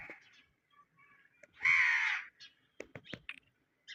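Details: Pet Indian ringneck parakeet giving one loud, harsh, grating squawk lasting over half a second, surrounded by quieter clicks and chatter.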